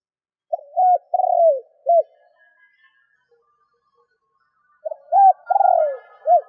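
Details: Decoy spotted dove cooing to provoke wild doves; two low phrases about four seconds apart, each a quick note, a flat hoot, a drawn-out descending burr and a short closing coo, with faint higher background tones.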